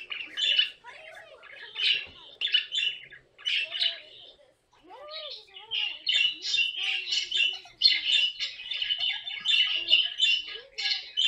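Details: Pet caique parrot squawking in rapid harsh bursts, dense and scratchy, with a short pause midway and then a long run of chattering screeches; faint lower tones run underneath.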